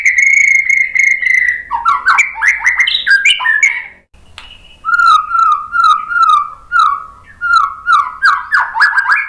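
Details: White-rumped shama song used as a lure to get other birds singing: loud varied phrases, a steady whistled note, then a brief pause followed by rapid repeated slurred notes falling and rising in a fast rhythm.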